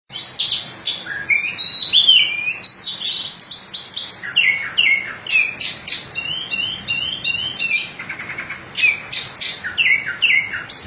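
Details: White-breasted oriental magpie-robin singing in a rolling, circling style: rich, varied whistles and sweeping slurred notes, high chattering bursts and quick descending trills, continuous with hardly a pause.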